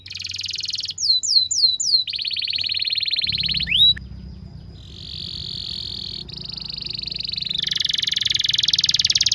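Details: Trained-style canary song meant for tutoring juvenile canaries: dense buzzy rolls alternate with a handful of swooping descending whistles and a sharp upward slur, continuing as a long rapid roll with low background hum.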